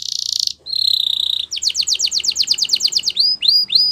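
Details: Canary singing for training purposes, moving from a buzzy rattle to a steady high trill, then a quick run of descending chirps and a few rising whistled notes.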